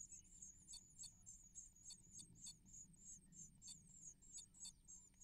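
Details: Great tits at a nest, parents bringing prey to their young; a thin, very high hiss-like note runs on with sharp ticking bursts about three times a second, over faint low rumble.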